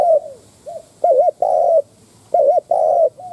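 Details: Lure spotted dove cooing to provoke wild doves: a falling coo, a brief soft note, then twice a loud wavering double note followed by a long steady coo, close and clear.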